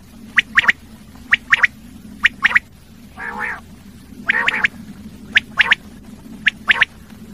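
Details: Common quail repeating sharp three-note phrases at about one-second intervals, broken by two longer, lower raspy nasal calls midway, with a continuous low hum in the background.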